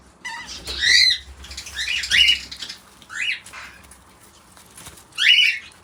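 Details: Young pet cockatiels, home-bred, give harsh, rasping chirps in short bursts, some rising and falling sharply.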